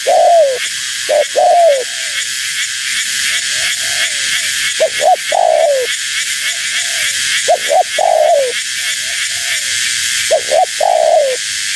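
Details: Female spotted dove calling to attract wild doves: phrases of two or three quick clipped notes, each followed by a longer falling coo, repeated every few seconds. Softer, more distant coos fill the gaps over a steady high hiss.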